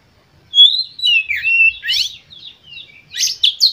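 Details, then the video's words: Emotive Oriental magpie-robin lure song for rousing other birds: a long loud whistled phrase slurring up and down, followed by rapid buzzy chatter and sharp rising notes, faint low thumps beneath. "Pancingan Kacer Full Emosi"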